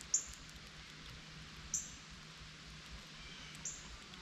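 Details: Sharp, high, metallic chips from northern cardinals awaiting fallen seeds beneath a feeder as a squirrel feeds; three clear notes roughly every one and a half to two seconds against a soft, steady hiss.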